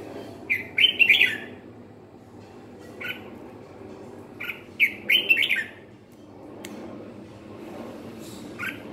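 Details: Red-whiskered bulbul singing in the ché style: bursts of bright, scratchy chattering notes, one around the first second and a louder cluster near five seconds, with single sharp notes between and quiet gaps.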